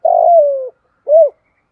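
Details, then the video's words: Decoy spotted dove used to attract other doves, giving a long burry coo that falls gently in pitch, a short pause, then one brief rounded coo; recorded close and clean. "chim cu gáy mồi gáy gọi/ tiếng chim cu gáy kích bổi nhanh nổi"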